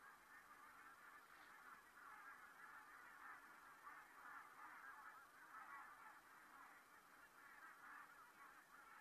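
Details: Geese flying over at Saastna on 4 November 2018, a steady overlapping chorus of many nasal honks from a flock, continuous through the whole stretch with gentle swells in volume and no other clear sounds.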